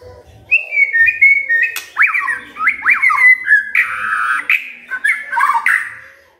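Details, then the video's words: Magpie-robin singing, used as a lure to prompt a silent bird to sing regularly: a varied run of whistled, looping notes mixed with harsher squawky phrases, delivered almost without pause. "Pancingan Murai DIAM Agar Rajin Bunyi"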